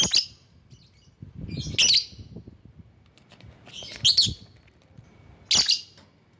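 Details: Lovebird sounding off to call rivals: four harsh, high-pitched squawking chirps spaced about two seconds apart over a quiet background with soft low rumbles.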